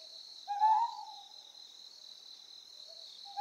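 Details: Ryukyu scops owl on Amami Oshima, Japan, giving a single low, slightly rising hoot with a soft fainter hoot at the end, over a steady high insect buzz.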